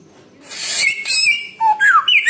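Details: Samyong bird producing a rough, noisy phrase with high whistled notes, followed by a low whistle and two quick descending whistled slurs.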